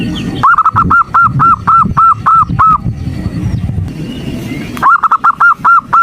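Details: Morning call of a female zebra dove summoning the male, meant to excite males: two bursts of crisp, short arched notes repeated roughly three times a second, separated by a two-second gap of low rumble.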